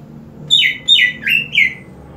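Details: Caged green leafbird that sings even harder after being sprayed with water: four loud, sharp down-slurred whistled notes in quick succession, each sliding from high to mid pitch, in a quiet room.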